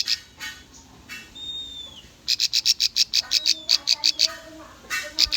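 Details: Bar-winged prinia song used as a lure to train young, untrained birds: a thin falling whistle, then a fast run of about fifteen sharp, high chips in a steady burst, with faint chips at the start and end.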